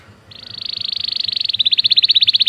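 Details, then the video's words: Belgian canary song phrase for canary training: a level, buzzy high trill starts softly and swells steadily louder, its pulses becoming slightly more spaced toward the end. "O canto do canário belga fascina muitas pessoas"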